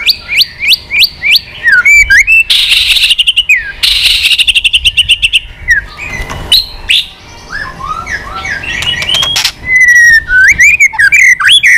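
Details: Old wild-caught white-rumped shama, excited and continuously flicking its tail, singing a many-voiced song to provoke rivals: a run of rapid falling whistles, then dense buzzy rattles and varied warbled phrases, ending in loud, sweeping, whistled notes.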